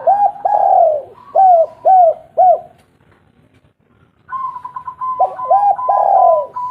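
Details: Local spotted dove used as a lure to get reluctant birds calling: rolling, bubbling mid-pitched coos in quick series, a pause, then a steadier tonal hum with more coos.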